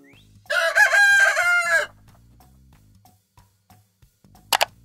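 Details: Rooster on a farm crowing once: a loud, harsh, drawn-out cock-a-doodle-doo lasting about one and a half seconds, followed by quiet background music and a short sharp click near the end.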